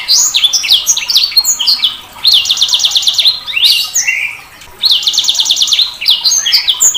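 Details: Sanger bird singing a lively varied song: sharp downslurred whistles, rapid buzzy trills of evenly spaced notes, and rising sweeps, given in two bursts separated by a brief pause.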